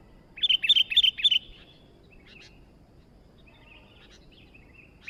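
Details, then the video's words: Sooty-headed bulbul singing actively: a quick burst of bubbly, liquid high notes in the first second and a half, then only faint scattered chirps over a low steady background hiss. "Mikkat burung kutilang baru Gacor dor"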